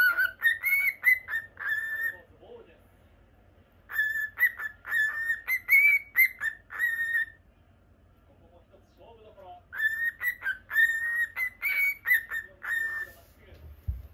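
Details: Pet cockatiel, normal lutino, whistles a repeated phrase of clear notes three times, each run lasting about three seconds with quiet pauses of about two seconds between, the pitch lifting briefly mid-phrase.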